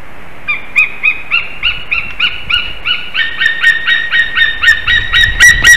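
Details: White-tailed eagle at the nest in Slītere, Latvia, February 2021 morning, calling around mating; starts softer and lower, then shifts to louder, higher yelps repeated about four times a second, ending in the strongest notes.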